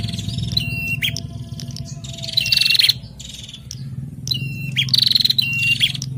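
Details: A male and female bar-winged prinia pair call back and forth in a communal aviary: sharp whistled notes, a falling slurred whistle and short buzzy trills, bursts roughly every two seconds over a low rumbling hum.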